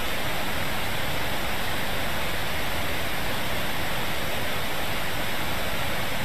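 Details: Loud, unbroken static like rushing water fills the whole recording, with no animal calls.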